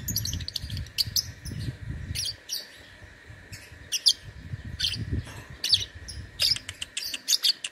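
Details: Contest lovebird from Singkawang, West Kalimantan, Indonesia, singing in an online competition: a fairly continuous run of sharp, high, scratchy chirps and twitters, with low rumbling background noise in places and a constant hum.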